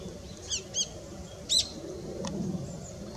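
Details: Long-tailed rosefinch, male and female, recorded 20 December 2016: a few short high chirps and sharp downward notes, spaced irregularly over a quiet low background rumble.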